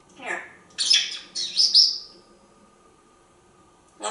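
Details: A pet African grey parrot perched on a drawer in a kitchen, communicating with its owner. It gives a descending raspy squawk, then two loud, harsh whistled bursts that trail downward, then silence, then a brief final burst.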